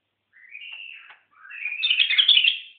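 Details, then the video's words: Seven-year-old white-eared bulbul giving a short whistled note followed by a louder, richer warbled phrase, clear and high with a quiet background. "White ear bulbul"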